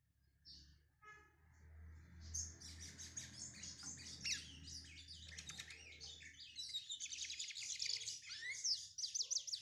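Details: Lined Seedeater, a brown (pardo) bird, warming up with rapid, high chattering song of mixed trills and sharp chirps, continuous for most of the recording over a steady low hum.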